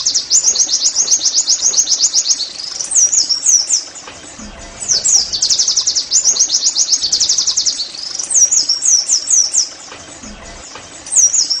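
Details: Oriental white-eye (pleci) in "nembak" singing, played to prompt caged birds to sing: long runs of very rapid high chirps alternating with swooping whistled phrases, broken by brief quiet gaps.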